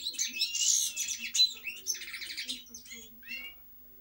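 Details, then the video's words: European goldfinch delivering loud, tumbling twitters that turn into buzzy, rattling trills, then fade to a couple of softer chirps near the end. "Cantec de Sticleti Goldfinch song"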